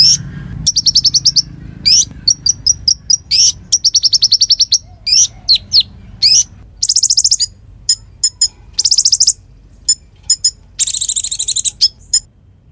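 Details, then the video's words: Konin singing steadily, used as a song tutor for magpie-robins and fighter songbirds: dense runs of rapid ticking trills mixed with sharp upward-sweeping whistles, ending in a long buzzy, harsh churring phrase, with clean quiet gaps between bursts. "Masteran Konin Gqcor Nembak Full isian"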